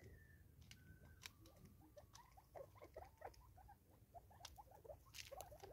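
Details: Feeding together in South Africa in 2024, five Natal spurfowl make a steady rhythmic series of short low notes, about four per second, after a thin high whistle, with pecking clicks throughout.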